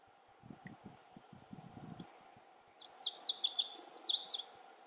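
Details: One of several Lazuli buntings singing constantly in a meadow, Camas Meadow: a quick high jumble of buzzy slurred notes lasting about a second and a half, over a steady low hum and soft low thumps.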